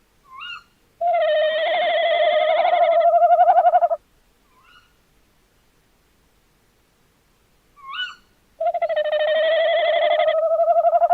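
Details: Two long tremulous notes from a tawny owl, recorded 11 January 2026, each wavering for about three seconds. Short rising squeaks come before each note, with quiet gaps between.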